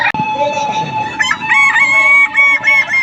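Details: Kukuak Balenggek roosters at the Walikota Cup 2024 crowing contest held at the Padang mayor's office; bright, harmonic crows overlap in the second half, stepped and wavering, with crowd noise beneath.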